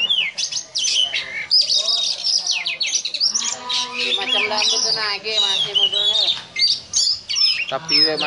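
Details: Kacer giving its ngobra song, likened to a cobra: loud, continuous volleys of high rising and falling whistles mixed with harsh buzzy rasps, broken by a few short silences.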